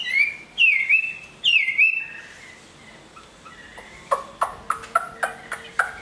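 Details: A big Chinese hwamei, praised as a strong singer and fighter and finishing its moult into fresh feathers, gives two rich looping whistled phrases, then falls quiet while a string of sharp tapping clicks follows.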